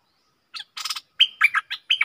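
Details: After a brief harsh buzz and rattle, a caged stripe-throated bulbul gives a series of clear, bubbly chirped notes in quick succession; recorded 7 June 2021.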